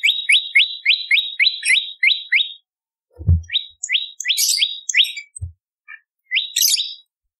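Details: Bar-winged prinia song used as a training and lure recording: bright upslurred chirps repeated rapidly in a steady run of about nine, a pause with a low thump, then further chirps mixed with higher buzzy notes.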